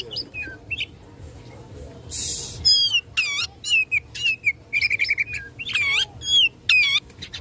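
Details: Fighting song of an Oriental magpie-robin aimed at rousing rivals: varied whistled notes, descending slurs and rattling buzzy phrases in rapid succession, briefly interrupted by a loud hissing rustle.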